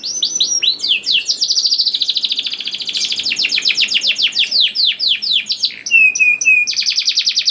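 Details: Canary song meant to lure young canaries into singing; long fast run of repeated downward-sweeping notes, then a steady rolling trill and a few flat whistled tones near the end.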